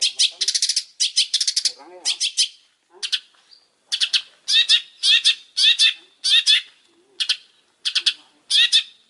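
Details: Long-tailed shrike singing energetically: clusters of harsh, buzzy, scratchy bursts delivered in quick succession with short pauses, plus a few lower downslurred notes near the two-second mark.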